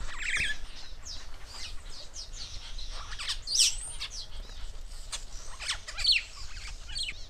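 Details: Rüppell's starling in Kenya: scattered harsh squawks and chirps, some sharp rising notes, irregular over a few seconds, with background noise.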